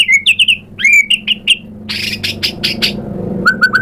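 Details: White-rumped shama song used as a lure: clear upslurred whistles in quick pairs, then a stretch of harsh, buzzy broadband notes, and a closing series of short repeated whistles.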